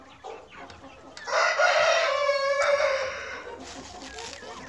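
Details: Australorp chicken on a farm, a rooster giving one long, loud crow with a rising start and sustained, slightly falling end, preceded by a few short clucks and scattered farmyard noise.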